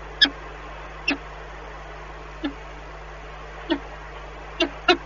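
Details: Peregrine falcons at a nest in Lublin, Poland, on the morning of 14 April 2020, during egg turning, with voices carrying from another nest: six short, harsh, clipped notes spaced irregularly over a low steady hum.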